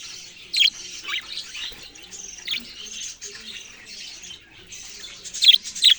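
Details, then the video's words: Budgerigar giving scattered bright chirps and short twitters over a quiet background, with louder sharp chirps near the start and a burst of three at the end. "parrot sounds and chirping sounds"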